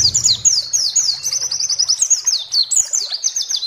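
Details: White-eye song used as a provoking training recording to stir other white-eyes to sing: a fast, continuous run of high, thin chirps and downslurred whistled notes, several per second. A low rumble appears briefly at the start.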